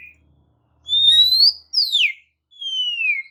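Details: Oriental magpie-robin whistling to rile up other magpie-robins: slow, pure drawn-out notes, one gliding upward, one sliding steeply down, and a last one falling gently.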